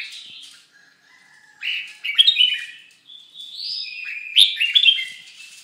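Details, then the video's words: Red-whiskered bulbul during moult, giving soft whistled phrases that rise into louder warbled notes and a held bright whistle, then a quick chattering ending. "Chao mao dang thay long"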